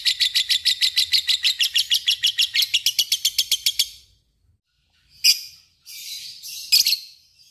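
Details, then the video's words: Lovebird, described as a fighter, giving a long trilling song: a fast run of about twenty-five high, harsh, evenly spaced chirps lasting four seconds, then silence and a few scattered buzzy bursts. "Ngekek panjang LOVEBIRD"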